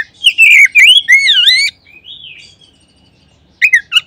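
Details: Oriental magpie-robin singing in a lure recording that triggers other magpie-robins to sing. Clear slurred whistles rise and fall, including a long wavering phrase. A softer drawn-out whistle follows, then a pause and two sharp chirps at the end.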